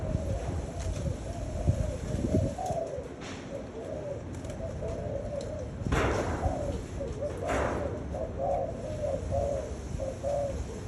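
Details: Spotted doves cooing in a dense overlapping chorus of low hollow notes, broken by a few sharp knocks and rustling noises.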